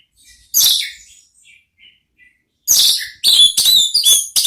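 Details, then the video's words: Orange-headed thrush, ngeplong-style song used as a lure for a thrush to answer: one loud rich phrase, a few soft whistles, then four rapid bright phrases in quick succession. "belajar NGEPLONG cocok untuk MEMANCING ANIS MERAH supaya ikut NYAUT ¦ KICAUAN TERAPI"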